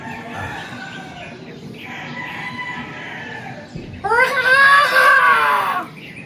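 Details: Rooster crowing in the countryside of the province while someone relaxes outdoors. Faint chirping and murmuring come first, then one long, loud, harmonic crow rises and falls over about two seconds near the end.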